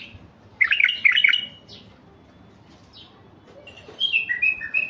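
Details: Colour-mutant male white-eared bulbul used as a lure for wild birds: a clustered, bubbling phrase, a couple of isolated high notes, then a descending string of clear whistled chirps.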